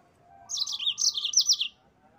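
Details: Yellow-fronted canary, a cage-bird training master in the gacor ngerol style, giving one bright, rapid phrase of high chirps and dipping twitters lasting about a second, over a faint steady tone.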